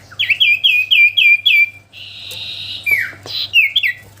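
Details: Common iora in vigorous song: five or six loud, evenly spaced chirps, then a steady buzzy tone and a few descending slurred whistles, with a faint low hum behind.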